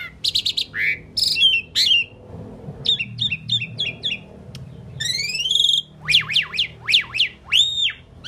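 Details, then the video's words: Talking Indian pied myna producing a varied run of sharp chirps, buzzy bursts and rising-and-falling whistled notes, with rapid repeated squawks toward the end and a quieter stretch in between. "Amazing Talking Indian Pied Mynah Bird"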